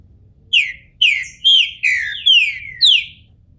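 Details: Caged Green-winged Saltator, a bald bird coming out of moult, kept by a registered breeder in Brazil, sings six loud whistled phrases, each sliding downward with a buzzy edge, about one every half second, against a quiet background.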